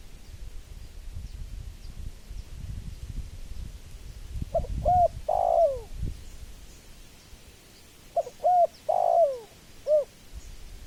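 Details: Spotted dove giving two cooing phrases, each two short coos, a longer falling note and a final rounded coo, after several seconds of low rumbling background noise.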